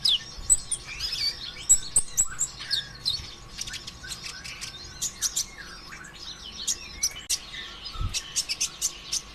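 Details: Sunbird known as konin ijoan, in full song as a lure for other sunbirds. Fast, varied high chirps, trills and squeaky whistles in irregular bursts, with a soft thump near the end.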